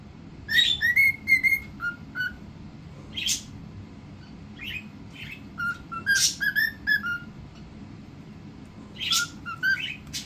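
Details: Two cockatiels whistling clear, flutey phrases, one after the other and then together, sometimes overlapping, with scattered sharp chirps between.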